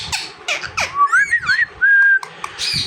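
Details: A talking parrot answers a person calling its name, producing wavering whistled notes that rise and fall, then a long level whistle, among human voices and laughter.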